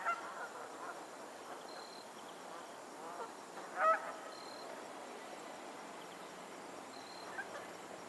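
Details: A single loud goose honk stands out midway, with fainter honks at the edges, from geese on a lake in Pennsylvania; steady outdoor hiss throughout.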